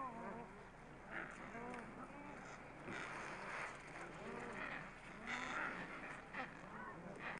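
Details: A dense chorus of Adélie penguins standing on an icy shore: harsh, braying squawks with rising and falling arcs, many birds calling over one another without pause.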